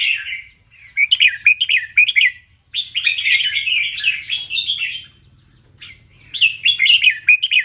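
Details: Red-whiskered bulbul kept as a tutor bird, singing a "เบิ้ล3" style song for teaching: bright warbled phrases at a mid-high pitch in four bursts with short pauses, rising and falling notes run together quickly.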